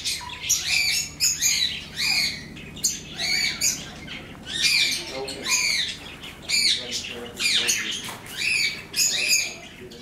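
Zebra finches give bursts of nasal, buzzy honks and chatter, repeated in quick overlapping phrases.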